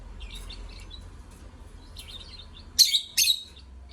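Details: Lovebird song of soft, scattered high twitters, then two loud, harsh chirps close together near the end, with a low steady hum underneath.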